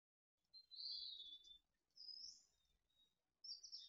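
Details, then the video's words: Mountain chickadees in Truckee at fledging time, late June 2020, early morning, as a brood of six leaves the nest: three high, thin whistled calls with slight buzzy edges, each under a second long, over faint low background. "Truckee Mountain Chickadees Fledge"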